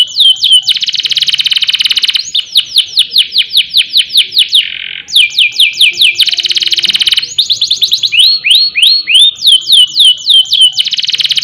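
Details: Canary in full 'ngerol' rolling song, used for training young birds and provoking rivals to sing: runs of repeated downward-slurred whistled notes, switching between fast trills and slower sweeping phrases, with a short sustained buzzy tone midway.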